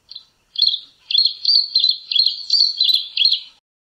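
A Long-billed Crombec gives one short high note, then three seconds of sharp, high chirps run together in a quick, uneven, jumbled series. No other sounds.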